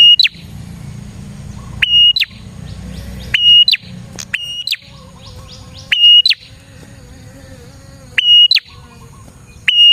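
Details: Lure recording of a lively singing prinia: loud high whistled phrases with sharp upsweeps and flicked endings, repeated at uneven intervals, with fainter descending chirps and low tonal buzzing notes between them over a rumbling background.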